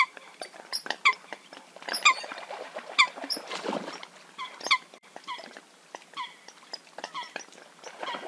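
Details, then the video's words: Eurasian coot hunting call: sharp, metallic, abrupt notes about once a second, set against softer, overlapping nasal chattering throughout. "Eurasian Coot (Fulica atra) Real Hunting Call Sound"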